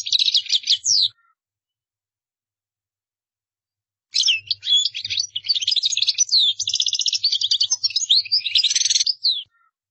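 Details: Qdara song of a European goldfinch: one second of bright twitter, a silence of three seconds, then five seconds of dense, high, tinkling phrases mixed with quick rattles, over faint low bumps.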